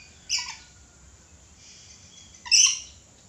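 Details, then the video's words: Two shrill, raspy screeches from a red lory separated by about two seconds of near silence, the second louder and longer. "Suara asli nuri red lory gacor"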